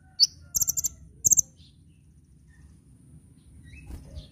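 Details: Kolibri ninja sunbird training song for cage birds: one sharp high chip, then two quick bursts of rapid high notes, followed by near silence with faint distant twitters.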